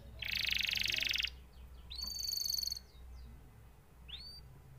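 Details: Canary delivering a loud harsh buzzing roll, followed by a high metallic trill with clear overtones and a few scattered upslurred whistles, against faint low hum.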